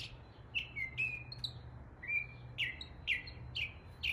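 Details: Northern mockingbird imitating local birds in East Tennessee: clear slurred whistles sliding downward and level, followed by a string of quick descending chirps, brisk and varied, with low background hum.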